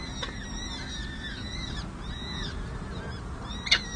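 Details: Peregrine falcon nestlings, four chicks aged six to seven days, calling while being fed by a parent at a San Jose City Hall nest camera, May 2024: high, faint, downward-curving squeaky peeps, then a sharp click near the end.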